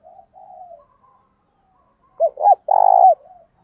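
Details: Soft, distant-sounding coos at first, then a decoy spotted dove close by gives two short hoots and a long, pulsing, purring coo while urging and calling to lure wild doves.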